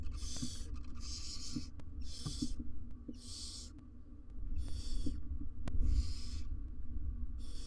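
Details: Barn owl family in a nest box, parents with three nestlings, wild birds on a live camera: harsh breathy hisses repeated about every second in a steady series, over a constant low rumbling hum and faint clicks.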